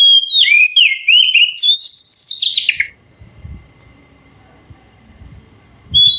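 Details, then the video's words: Oriental magpie-robin in the wild delivering a continuous run of sweet, twisting whistles that climb higher near the end and drop sharply, followed by a few seconds of low rustling background and a faint steady tone, then a fresh whistle. "suara asli kacer di alam liar"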